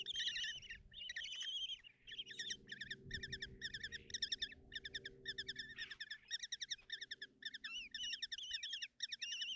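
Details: Common kestrel chicks in a nest box at Tiszalök, Hungary, on 30 June 2024, being fed breakfast by their mother: dense, continuous chorus of high, wavering, harmonic-rich chittering calls, overlapping almost without pause, with faint low rumbling beneath.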